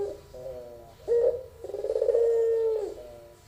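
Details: Melodious pelung singing of a young albino barbary dove. Softer lead-in notes give way to a sharp short coo, then a long, even, hollow drawn-out note.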